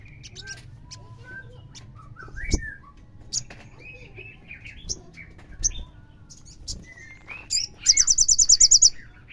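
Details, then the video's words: Crimson sunbird (sogon) lure recording. Several seconds of varied whistles and chirps from a busy bird background end in a fast, bright trill of about ten high ticking notes. "PASTI nyaut bunyi DENGAR suara pancingan sogon gacor ini"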